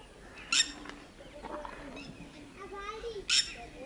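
Two loud, shrill, strident notes about three seconds apart from a red-wattled lapwing, with faint lower calls and murmuring in the background.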